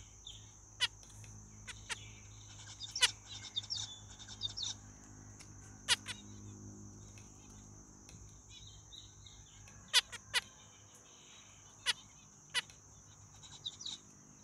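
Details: Zebra finch producing spaced, clipped nasal beeps and brief chattering bursts at irregular intervals, some notes doubled, against a continuous high-pitched hiss and faint low hum.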